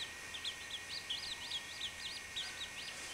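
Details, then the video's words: Young chachalaca chick peeping continuously: rapid, high, arched notes repeated several times a second with little pause, against a constant faint high whine. "CHACHALACA BEBE 3"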